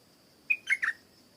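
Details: Stripe-throated bulbul singing: one short bubbly phrase of three notes, a clear level whistle followed by two richer, slurred, slightly falling notes, all within half a second, over a steady thin high-pitched hiss.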